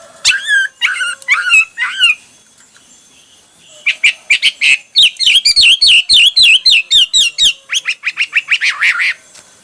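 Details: Hwamei singing a varied song: loud whistled phrases and rapid repeated slurred notes, a burst of downward-swooping whistles followed by a long run of quick repeated rising notes.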